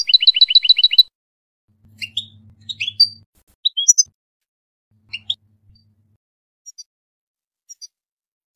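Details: Tunisian European goldfinch song opening with a fast run of seven repeated twittering notes, followed by scattered rising chirps and short tinkling notes separated by pauses.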